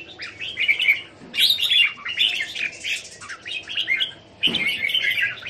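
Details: Caged Red-whiskered Bulbuls at a home in Thailand, January 2021, sing in bursts of warbling chirps separated by brief lulls, with a soft thump near the end.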